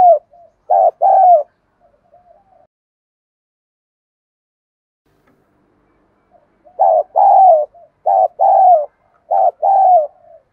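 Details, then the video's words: Spotted dove kept as a decoy, calling to lure wild doves: rhythmic phrases of mellow, hollow coos, a short group near the start, then a long silence and four more phrases in quick succession, in an otherwise quiet setting. "Cu gáy mồi ĐỒNG GÙ ĐẤU THÚC GỌI bổi nhanh nổi"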